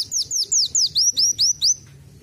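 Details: Van Hasselt's sunbird singing canary-like phrases it has learned, a quick run of seven high, arching slurred whistles, each rising then falling, about four per second, ending abruptly; faint low murmur underneath.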